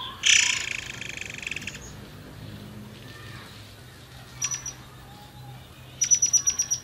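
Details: Forktail (murai air) lure sound meant to get other birds singing: an opening loud, dense, buzzy burst of high notes lasting over a second, then quiet, followed by clusters of thin, very high ticking notes.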